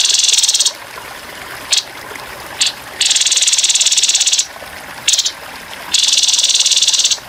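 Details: Grey-headed babbler uttering coarse 'tembakan kasar' rattles in a cage-bird training track with trickling water: two long buzzy bursts separated by several short sharp clipped notes, ending in another long rattle.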